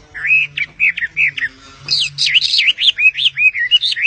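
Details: Sitting on its owner's hand, a bird gives spaced, short whistled notes, then a faster, louder series of looping, wavering high warbles.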